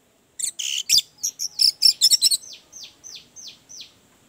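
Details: Orange-headed thrush song used as therapy for a bird slow to sing: a dense, scratchy burst of rapid, varied chirps, followed by five evenly spaced, softer high notes, each falling steeply.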